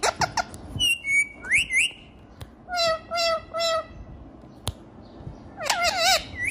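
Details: A talking, dancing parrot gives a series of harmonic, speech-like squawks (apparently "mummy mummy, mitthu mitthu") and rising whistled syllables in short bursts, with sharp clicks between.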